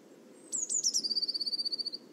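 A Eurasian blue tit gives a few thin, very high introductory notes, then a fast, even trill lasting about a second. A low background rumble runs underneath.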